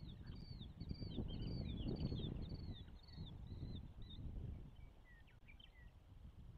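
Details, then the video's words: Osprey at a nest in Charlo, Montana, during the first hatch, 12 June 2024, afternoon: rapid series of short, arched, whistled chirps, about eight in four seconds, then a few softer falling notes over steady low wind rumble. "Hatch 1 -Charlo Osprey"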